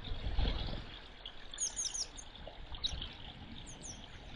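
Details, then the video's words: A pair of grey wagtails squabbling over territory: a fast cluster of shrill, high, slurred notes midway, then two louder hooked calls near the end, set against the rush of a stream. "Grey Wagtails Fighting"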